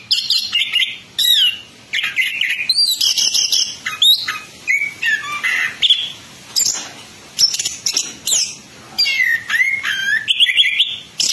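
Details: Ngerol ngeplong song of the Orange-headed thrush, called anis kembang: continuous, energetic runs of high whistles, rolling trills and swooping slurs. The phrases are packed closely, with only brief pauses between them.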